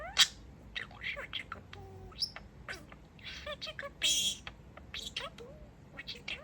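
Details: Male pet budgerigar chattering and beeping while dancing: quick high chirps, sharp beeps and warbled talk-like notes in an irregular run, with one louder burst midway.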